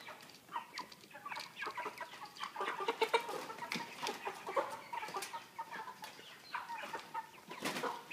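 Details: Dense chatter of 3 kg broiler chickens in a cage with pan feeder and plastic floor: many overlapping clucks and brief chirps, steady throughout, mixed with sharp metallic taps.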